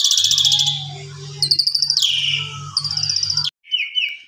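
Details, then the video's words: Asian pied starling in the evening giving varied, fill-in-rich song for tutoring other birds: a buzzy opening, a rapid stuttering series, then a falling grating note and short whistles after a sudden cut, over a low hum. "Pancingan Sore !! Jalak Suren Gaya Full Isian Segudang Gacor Suara Istimewa Cocok Buat Masteran"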